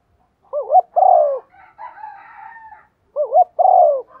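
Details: Two patterned coo phrases from a decoy spotted dove meant to trigger other doves' calls, each two short wavering notes plus a long falling coo, separated by a softer, wavering murmur.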